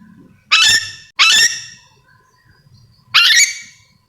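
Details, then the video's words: Yellow-and-green lorikeet of Sulawesi calling with three loud, raspy screeches, the first two close together, the third after a longer gap, over a faint low background. "Suara asli nuri dora memanggil"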